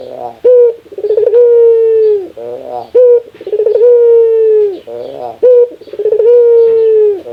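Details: Rare laughing call of a Barbary dove, repeated three times. Each phrase has a brief clipped coo and a fast rattling chuckle, then a drawn-out level hoot that sags at the end. Nothing else is audible.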